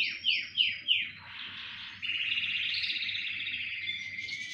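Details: Singing canaries in a chorus. Three loud, sharply descending swoops open the phrase, leading into a long, rapid rolling trill with overlapping warbles.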